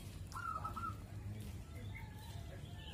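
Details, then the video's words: A Zebra Dove (perkutut), kept at a house and calling for hours, gives a short, soft, rolling coo with a beaded, trilling quality, followed by fainter notes, over a steady low hum. "Burung perkutut bunyi gacor"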